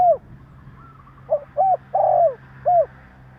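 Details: Spotted dove call to provoke other doves: the tail of one phrase, then a full phrase of a soft short coo, arched hoot, broad rolling coo and a final falling note, low and clear.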